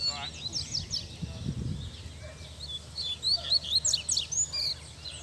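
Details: Male Double-collared seedeater singing outside in the bush, with a brief high phrase, a pause with low speech, then a rapid string of sharp, bright, slurred notes.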